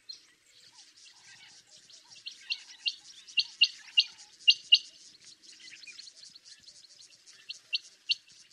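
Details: Common quail calling: short, sharp high notes repeated in quick clipped groups, with fainter chirping in the background.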